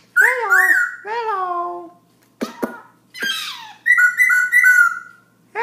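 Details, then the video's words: Black-throated laughingthrush singing nonstop at 11pm: loud clear whistled phrases, some rising then falling, mixed with harsh rasping notes and sharp clicks, in a quiet indoor space. "Black throat laughing thrush night song"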